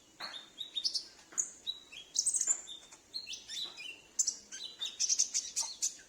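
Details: Captive sunbird at home, its voice used to attract wild or escaped birds of its kind; busy high twittering with short flat whistles and scratchy chips, nearly continuous.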